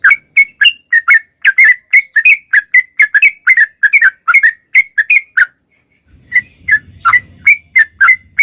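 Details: Sooty-headed bulbul singing busily, meant as daily tutor audio for songbirds: a long run of short whistled chirps, some paired, a brief break with a low rumble, then more spaced notes.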